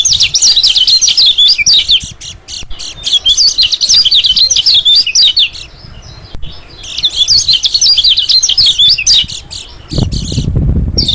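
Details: White-eye lure sound for attracting small birds: dense, high thin twittering chirps in overlapping bursts, briefly dropping away near the third and sixth seconds, with a low rumbling thud at the end.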